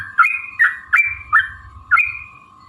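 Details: Agitated Yellow-vented bulbul lure song for provoking singing and fighting: five bubbly, slurred phrases, each starting with a sharp note and trailing into a short whistle, spaced about half a second apart over a hum.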